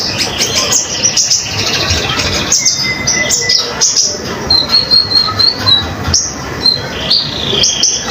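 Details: Common iora in full song, used as a model for training other songbirds: thin high whistles and short chips, a long level whistle partway through, then a run of quick high notes over constant hiss.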